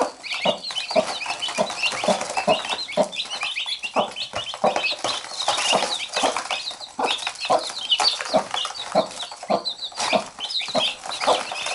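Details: Hen with chicks that keep biting her: steady low clucking repeated roughly twice a second, layered with dense, continuous high-pitched chick cheeping.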